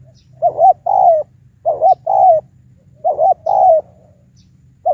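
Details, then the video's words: Decoy spotted dove with a high coo used to take on wild birds. Three phrases, each a clipped double note followed by a longer sliding coo, come roughly every second and a half, steady and clear. "Mồi Tiểu Cườm Cao . Đấu Bổi Với Trận"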